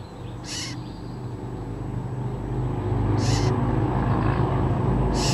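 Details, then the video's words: California scrub jay at its nest in early April gives short, harsh, raspy calls, about one every three seconds, over a steady low rumble like traffic. "Scrub Jay Nest Activity"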